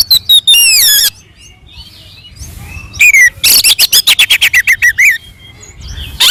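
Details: Oriental magpie-robin fighting song used to provoke other birds: descending slurred whistles, a quiet gap, then a quick rhythmic series of sharp chattering notes.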